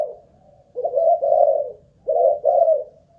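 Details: Decoy spotted dove, tested for staying power, gives two throaty cooing phrases, the first longer and wavering, the second split into two pulses, with brief silence around them.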